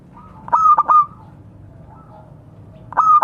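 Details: Local zebra dove calling to companions, a bird used as a lure. A loud clipped phrase of bright cooing notes with short stuttered pulses opens the recording and returns near the end, with softer distant coos in between.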